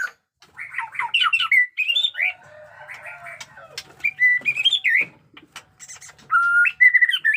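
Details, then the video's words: White-rumped shama with a 'batuk koral' song style singing varied whistled and slurred phrases, with softer murmuring notes between bursts and a flat whistle followed by upswept notes near the end. "pesona AURA MURAI BATU JENGGOT DEWA fighter abis Batuk Koral, Muntah beling murai bisu ngikut nYaut"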